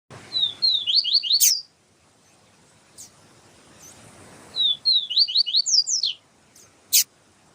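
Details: Yellow-bellied seedeater song in the siu siu style, used as a tutor recording, with a female calling to warm up the male. Two phrases of high, slurred, descending whistled notes, each ending with a sharp broadband click.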